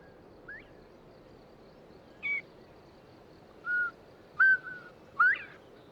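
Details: Northern Bobwhite, a quail of the eastern United States countryside, gives clear, short whistled notes, the last ones sliding sharply upward, spaced a second or so apart over a steady background hiss; the male calls for a mate.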